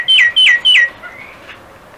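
A myna gives three loud, harsh whistled notes, each sliding downward, in quick succession about a third of a second apart, followed by softer faint calls.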